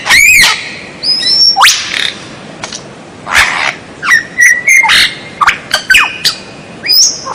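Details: White-rumped shama (murai batu) in a masteran training recording for captive birds, 'strange sound' version: clear whistled notes, some long and level, others rising or falling, broken by harsh noisy bursts and sharp clicks.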